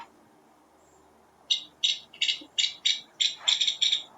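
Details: Nuttall's woodpecker at Coto de Caza: after a second and a half of quiet, a series of about ten harsh, scratchy call bursts comes at roughly one every third of a second, with some doubled notes near the end.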